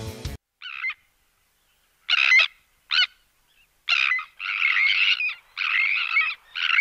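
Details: Sandwich tern giving display calls in the air and alarm calls in the colony: harsh, grating, rasping calls, some short and some drawn out, about seven in quick succession after a brief click at the start.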